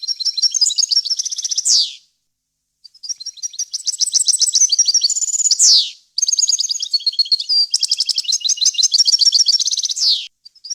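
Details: Clean European goldfinch song meant for tutoring chicks, varied wild-language style: three long, high, tinkling phrases of rapid chirps and trills separated by brief pauses, each closing with a descending swept note.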